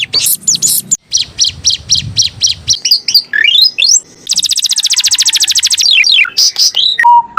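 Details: Canary performing a master song meant for training other birds: rapid pulsed notes, then descending slurred whistles, a long dense high trill, more downward slurs, and a closing low steady whistle.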